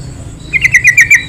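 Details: One quick bubbly phrase from a yellow-vented bulbul, used as a lure for other bulbuls: about six liquid, slurred notes run together in just over a second.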